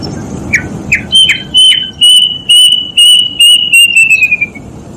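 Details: Plaintive cuckoo giving a long run of about a dozen loud, pure whistled notes that start level, then slide gradually lower in pitch and come faster toward the close, preceded by a few short chirps.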